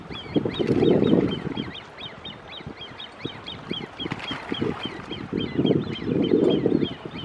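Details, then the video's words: Great crested grebe young begging to a parent on Lake Geneva at Lausanne give thin, high piping notes, about four a second in a steady run, over low rumbling bursts of wind or water noise. "Great Crested Grebe young begging to parent"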